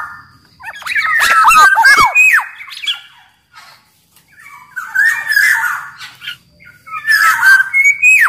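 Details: Energetic caged black-naped oriole from Sumbawa, singing for use as master and lure song: a loud tangle of harsh squawks and looping whistles, a pause, then two rougher phrases ending in a rising whistle.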